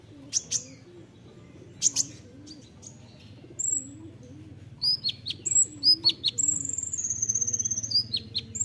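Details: Olive-backed sunbird, 'nembak rapat' song for training songbirds: scattered sharp clicks give way to a busy run of high thin whistles, downslurred chips and a long, slowly falling high whistle.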